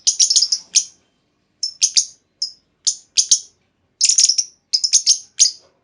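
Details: Female lovebird calling as bait for other lovebirds to answer with long trilling; repeated bursts of shrill chirps, some single, some in quick triplets, spread evenly across the stretch with short gaps.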